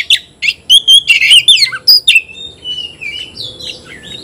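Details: Oriental magpie-robin singing at a rival, wings fluttering: quick sequence of bright whistles and chirps, then softer gliding whistled phrases that rise and fall.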